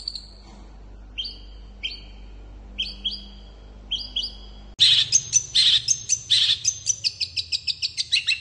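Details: Long-tailed shrike singing quickly to provoke rival shrikes to respond: spaced pairs of clear, slightly falling whistles, then a sudden loud outburst of harsh, buzzy chatter and rapid chirps.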